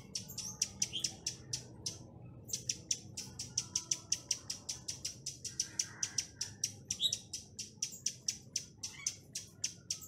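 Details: Decoy chestnut-capped laughingthrush singing the 'tạch' lure song to bring in wild birds: a quick run of sharp clicks, a brief pause, then a long steady series of evenly spaced crisp ticks.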